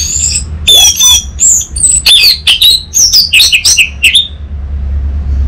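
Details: Orange-headed thrush song used as a lure and tutor recording to prompt a bird to answer in full voice: rapid varied phrases of high whistled, slurred and chattering notes for about four seconds, then quiet with a low background hum.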